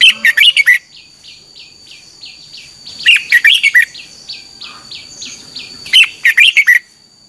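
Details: Morning training song of a red-whiskered bulbul: three bursts of rich warbled notes spaced about three seconds apart, with a softer series of short repeated chirps running between the first two bursts.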